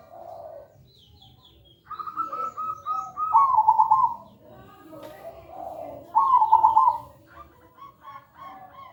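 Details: Lure recording of zebra dove (perkutut) song, loud, clear and melodious: low soft coos lead into bright trilled phrases, with a second bird's coos overlapping and faint higher chirps in the background.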